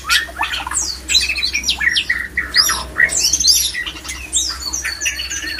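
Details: Male white-rumped shama giving a mating song meant to stir other shamas into breeding condition. It is a dense, varied run of rich whistles, sharp downslurred notes and harsh chattering phrases, with short pauses between bursts and a faint low hum beneath.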